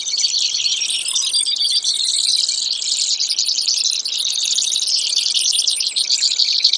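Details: Brewer's sparrow in a lengthy sequence of high, buzzy, finely pulsed trills that alternate between slower and faster rates, with no other noise.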